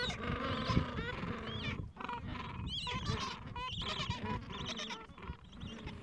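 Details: A crowded chorus of Gentoo penguins at the edge of a colony in the Falkland Islands on a mild afternoon, tending nests and chicks aged two to three weeks: harsh, braying, harmonic calls overlap constantly, with rising and falling honks above a low rumbling din.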